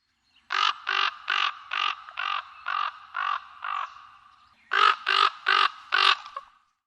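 A raven gives a run of harsh, hoarse croaking caws, about a dozen in quick succession, with a short pause before the last four.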